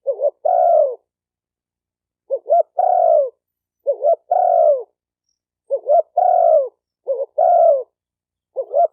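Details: Spotted dove voice for stimulating decoy, male and female doves: five repeated low phrases, each a pair of short hooting notes leading into a longer, gently falling coo, delivered steadily in a quiet setting.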